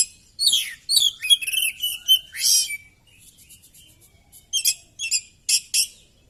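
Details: Oriental magpie-robin singing while fighting with tail spread open: a rapid run of whistled and buzzy phrases ending in a long sweeping whistle, followed by soft twittering and short rasping bursts.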